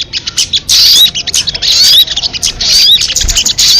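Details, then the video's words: MP3 lure of the sogon, or crested jay: rough, hissy rattling bursts with faint high, rising whistles, running almost without pause across four seconds. "Suara MP3 burung sogon kamade"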